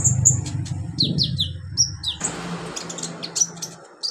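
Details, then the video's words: Olive-backed sunbird singing in a training recording for beginner birds, giving sharp high chirps and several descending whistled slurs in quick succession, with low rumbling noise underneath. "MASTERAN KONIN/KOLIBRI NINJA buat konin pemula cepat gacor"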